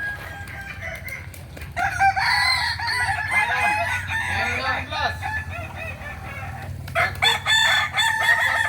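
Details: Kukuak Balenggek roosters at a practice crowing contest in Ampang Kualo, Kota Solok, May 2024: after quiet background hum, many overlapping long, wavering, stepped crows rise from about two seconds, with a fresh burst near seven seconds.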